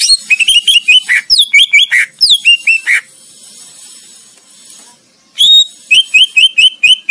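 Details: Greater green leafbird training song for competition songbirds: rapid chattering runs of clear whistled notes, sliding up and down, then a short hissy pause before another fast burst of bright repeated whistles.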